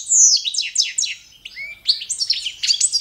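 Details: Goldfinch of the Balkan subspecies, standard competition song: a descending series of quick repeated chirps, a soft short whistle, then busy high twittering notes.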